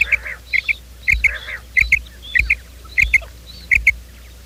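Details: Quail lure call for morning trapping: crisp high paired notes repeated about every two thirds of a second, each pair preceded by a sharp click, with softer rasping notes underneath.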